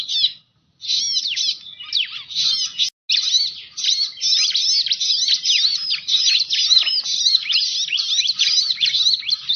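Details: Bar-winged prinia lure call used to attract birds: bursts of fast, scratchy chattering notes with quick rising and falling slurs, briefly interrupted by short gaps, then a long unbroken chatter.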